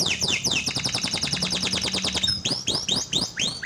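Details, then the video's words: Canary song used as a lure to get a silent canary singing: a fast run of repeated sweeping notes, then sharper looping chirps near the end, over a faint low hum. "pancingan buat kenari macet bunyi"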